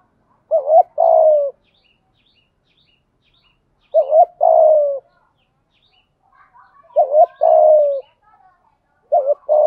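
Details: Decoy spotted dove cooing in the 'gọi một hậu' calling style to lure and provoke wild doves. Short two-part phrases of low, hollow coos, the second note long and falling, repeat about every three seconds with silence between.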